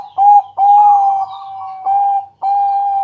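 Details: Zebra dove of the Bangkok type, a strong-voiced local bird, singing at night as a lure to draw other doves into song: long, level, mellow coos in a steady run, each held for about half a second to a second, with short gaps.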